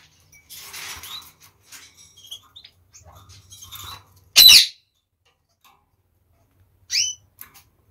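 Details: Two pairs of domestic canaries share one cage after the divider that kept each pair on its own side was removed. Scattered short high chirps and thin whistled notes are broken by one loud harsh squawk midway, then a brief rising chirp.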